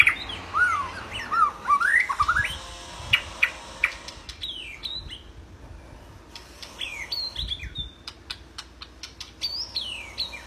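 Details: White-rumped shama, a lively singing bird used as a training recording for other birds: varied whistled phrases with rising and falling slurred notes, sharp clicks and chips, irregular and rich.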